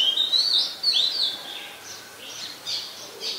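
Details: Oriental magpie-robin recorded in Ubon Ratchathani, Thailand, 20 September 2022, using a Nikon P1000: a quick burst of high twittering, warbled whistles at the start, then softer, fainter notes trailing off.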